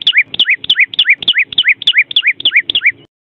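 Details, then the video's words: Vermilion cardinal giving a fast, regular series of two-part notes: a short, level, high whistle followed at once by a lower slurred note that falls in pitch. The pair repeats about nine times in three seconds, then stops. No other sounds. "SUARA VERMILION CARDINAL"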